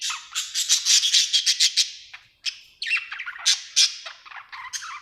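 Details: A happy pet budgerigar chirping: rapid bursts of bright, high scratchy chirps and warbles, several per second, with a brief pause midway before the busy chattering resumes.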